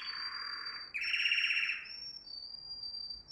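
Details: Canary song used for training young canaries: a dense buzzy trill followed by a rapid rolling trill, with a thin steady high whistle running beneath throughout.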